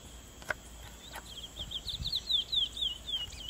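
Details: Curió, the chestnut-bellied seed finch, vocalizing: a flowing series of clear whistled notes sliding downward, repeated about three or four times a second, with a few clicks and taps in the background.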